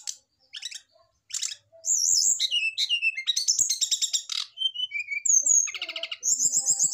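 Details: Male brown-chested jungle flycatcher reacting to a nearby female, used to make it sing sooner; varied loud song of sharp chips, rolling trills, descending whistles and fast buzzy rattles.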